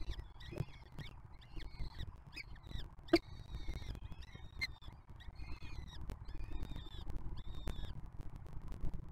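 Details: Peregrine falcon chicks from the 2024 brood in a nest box at the Museo de América, fed by an older juvenile sibling from 2023; thin, high whining calls repeated in short bursts over steady low rumble and clicks.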